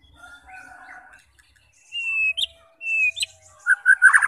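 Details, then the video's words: Shama song intended to trigger other shamas into singing, made of long, clear, level whistles broken by short sharp notes, ending in a quick twittering flourish. "Cocok untuk memancing SEMUA jenis Murai batu FIGHTER, GACOR dan BONGKAR Isian"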